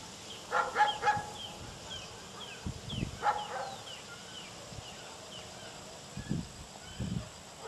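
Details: Limpkin (Aramus guarauna) at Villa de Soto, Córdoba, in May 2012, giving two loud, harsh, nasal wailing bursts a few seconds apart, over thin high chirps from smaller birds and low rumbling wind.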